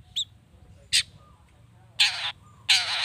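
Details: Long-tailed shrike lure recording, meant to stir other shrikes into answering: a few short, harsh, buzzy notes, two brief ones then two longer rasping bursts spaced about a second apart, over a quiet background.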